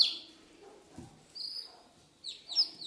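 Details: Newly hatched chicks of unknown breed, hatched under a broody American hen, give high, thin peeps in short bursts, with a few downward-sliding cheeps near the end; a faint thump and soft background noise underneath.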